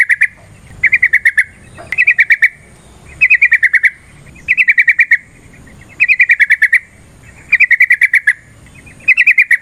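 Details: Fighting lure song of a yellow-vented bulbul, meant to make another bird sing with emotion: seven steady bursts of about seven rapid, ringing notes, recurring roughly every one and a half seconds.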